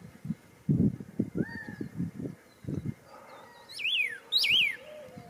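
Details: A Pyrrhuloxia next door gives two loud, sharply down-slurred whistles about half a second apart, after a few fainter thin notes, with low thumping bumps and a quiet outdoor background.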